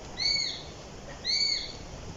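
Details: ['Eurasian sparrowhawk giving two high, thin, slightly arched whistles about a second apart over quiet background hiss.']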